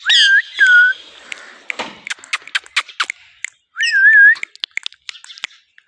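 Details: Indian green ringneck kept as a pet: looping up-and-down whistles open and close the passage, separated by a run of crisp tongue-like clicks and soft murmuring sounds.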